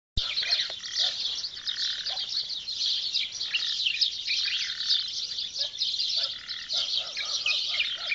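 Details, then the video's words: Early-morning birdsong in the countryside of Benslimane province, Chaouia-Ouardigha, Morocco: a dense chorus of many small birds overlapping in high, rapid chirps and twitters, with a few lower sustained whistled notes. "صوت العصافير في الصباح الباكر ✅ La voix des oiseaux tôt le matin"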